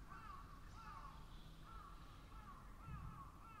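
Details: Crows cawing in a steady series of hoarse, slightly wavering calls, about one every half second, over a low rumbling background.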